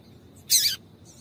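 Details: Single female double-collared seedeater call, used to set a male singing: one loud, bright, slightly buzzy high note lasting under half a second, with a soft trailing echo afterward.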